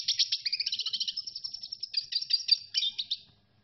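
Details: Red siskin singing a fast, continuous twittering trill of high, slightly buzzy notes that runs for over three seconds before fading out.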